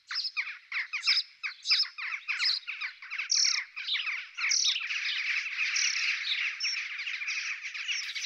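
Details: European robin female being fed by the male during courtship feeding; a rapid run of high, scratchy, buzzy notes repeated several times a second, merging into a continuous trembling twitter in the second half.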